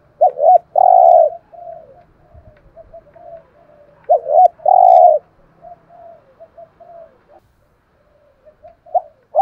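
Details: Spotted dove with an excellent 'thổ' voice, used as a decoy so that wild doves call. It gives two strong phrases of a doubled note and a long coo, separated by strings of soft murmured notes, and a third phrase starts at the end.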